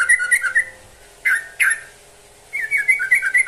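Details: Trucukan, or yellow-vented bulbul, singing to a rival: short gurgling warbled phrases, two sharp single notes in the middle, then a further rippling phrase.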